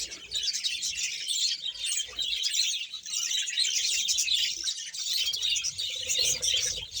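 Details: Budgerigar colony of about a hundred pairs kept in Bahawalpur: a dense, continuous mass of high chirps, warbles and squeaky twitters from many birds at once, with a faint low hum beneath.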